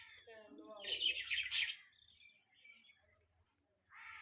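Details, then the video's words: Budgerigars chirping: a burst of bright, buzzy high chirps and a lower warbling chatter for about two seconds, then near quiet, and a fresh chirping phrase at the end. "Beautiful Budgies Chirping Sound"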